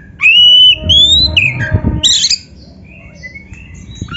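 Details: Oriental magpie-robin training song for kept birds: long clear whistled notes, some rising, then a harsh buzzy burst and scattered soft whistles, with low rumbling background noise.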